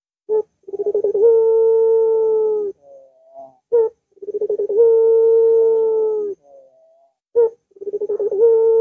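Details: Barbary dove song repeated three times as a lure for a dove slow to sing: a single clipped note, a burst of quick stuttering pulses, then a long steady coo of about two seconds, in a quiet setting.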